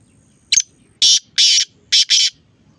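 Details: Black francolin giving harsh, scratchy calls: a brief opening note, then two pairs of loud rasping bursts in quick succession, with little else audible.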